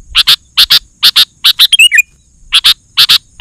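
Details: Sooty-headed bulbul in energetic 'gacor' form, used as a lure to provoke other bulbuls: paired harsh high chirps repeated about every half second, broken by one bubbly run of whistled descending notes mid-clip.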